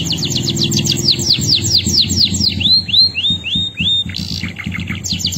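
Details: Male canary delivers fast descending whistled sweeps, then a run of five arched rising-falling whistles, a short buzzy burst and renewed sweeps, with a constant low droning background.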